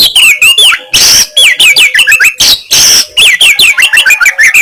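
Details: Oriental magpie-robin, a prolific singer, delivering harsh 'kasaran' material meant to make rival birds puff up: loud, varied whistles with slurred rising and falling notes, broken by raspy, noisy bursts, ending in quick repeated chips.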